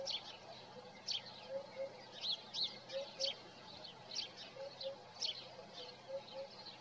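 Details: Eurasian hoopoe heard in the morning on a Nikon Coolpix P1000 recording: four soft double hoots, low and hollow, spaced roughly every one and a half seconds, over a busy chorus of high chirping songbirds.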